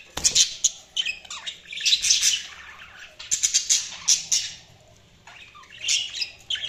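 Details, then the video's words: Budgerigars chattering in rapid bursts of shrill, buzzy chirps and warbled notes, with brief pauses between clusters and a quieter gap near the end before the chatter resumes. "Budgies Chirping sound"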